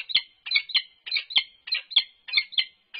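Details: Unknown male peregrine falcon interacting with the resident female from on top of a nest box, UC Berkeley, 3 November 2021. Loud, harsh paired notes repeat steadily, about three pairs per second.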